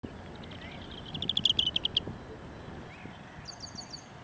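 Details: Lesser sand plover on the Kadamakkudy Islands gives a quick run of sharp, high chirping notes, about eight in under a second, with a softer burst later over steady background hiss.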